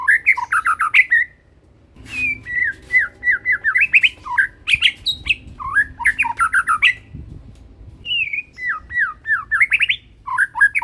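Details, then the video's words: Young white-rumped shama of the Medan type, wearing a leg ring and already singing freely with a carrying voice; rapid bursts of varied whistled, slurred and chattering notes separated by short pauses, in a small indoor room. "Murai batu medan Ring BNR masih pastol udah gacor dan suara tembus"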